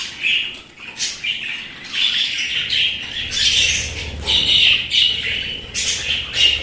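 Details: Several pet budgerigars keep up busy, raspy warbling chatter, with squawks and chirps overlapping almost without pause.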